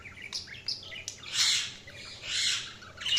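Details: Budgies chirping: short scratchy tweets followed by two long, loud, harsh rasping squawks that swell and fade.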